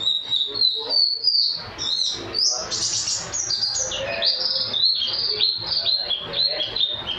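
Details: White-eye, a national champion singer, delivering song packed with canary-style phrases: dense, fast, piercingly high chattering and twittering notes, jumbled trills and slurred whistles rising and falling continuously, loud and unbroken throughout.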